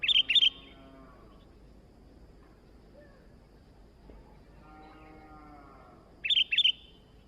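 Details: Sooty-headed bulbul singing vigorously: two short bursts of bright, bubbly, chattering notes, one at the start and one near the end, separated by a long quiet stretch with low background hum.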